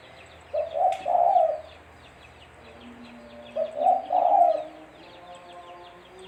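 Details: Spotted dove cooing, a recording used as a lure for bird trapping. Two hollow, three-part coo phrases about three seconds apart over a backdrop of small birds twittering and a faint steady hum.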